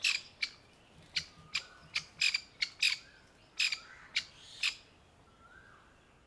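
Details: Hen grey francolin sitting camouflaged in dry brown summer leaf litter with newborn chicks clustered around her, alarmed for them; roughly a dozen harsh, scratchy notes burst out in an irregular rapid series, with a soft low whistle in the background.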